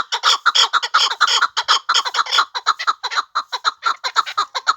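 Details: Chukar partridge kept for hunting, giving a fast series of harsh, clipped chuck notes, about two per second, broad and grating, with slight pauses between bursts.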